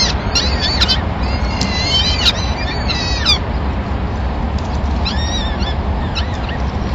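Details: Morning feeding at a peregrine falcon nest in Madrid, 26 April 2016, with the male bringing a small bird for all the chicks; a rapid run of thin, wavering whining calls, then softer calls later, over a low traffic hum.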